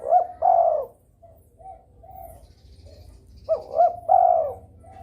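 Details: Spotted dove in breeding mood, calling to prompt rival doves to answer: two phrases about three and a half seconds apart, each two clipped coos and a drawn-out croon, with softer coos between.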